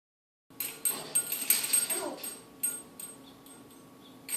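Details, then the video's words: A female African grey parrot boxing her toy gives a short, falling, human-like "ow" among sharp taps and clattering knocks from the struck toy. "African Grey Parrot says OW"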